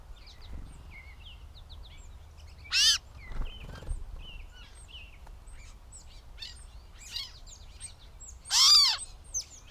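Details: Gray catbird in Bowdoinham, Maine, on 16 May 2020: scattered short chirps and squeaky notes, with two loud harsh, buzzy bursts, one near the third second and one near the end, over a low background rumble.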